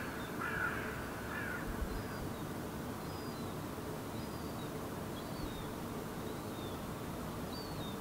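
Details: Herring gull fledgling walking toward its parent at a puddle in Helsinki, Finland, July 2016, vocalizing: a couple of harsh caw-like calls, then thin high whistled peeps about once a second over a steady rumble.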